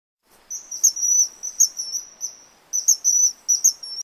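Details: Common kingfisher (Alcedo atthis) gives shrill, very high piping whistles in two quick bursts, each a run of thin, sharp notes separated by a brief pause.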